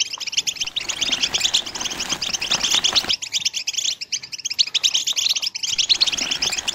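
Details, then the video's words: European goldfinch singing its mating twitter, called betbta and stsesta: dense, rapid, tinkling notes throughout, rising into brighter bursts, with abrupt breaks where the background shifts. "بتبتة وستسستة الحسون لتزاوج"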